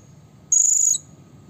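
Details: Blue-crowned hanging parrot, a call to provoke rivals: a single shrill, very high, steady buzzy note of about half a second.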